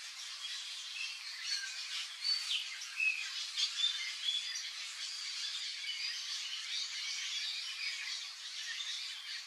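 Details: A pair of Yellow-chevroned parakeets (Brotogeris chiriri) eating papaya give dense, shrill, scratchy chatter, with a few sharper squeaks rising above it over a steady high hiss.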